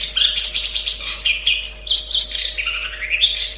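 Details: Long-tailed shrike in a lively, fast-paced song: a varied stream of high chirps, trills and whistled phrases shifting up and down in pitch with hardly a pause, steady electrical hum beneath.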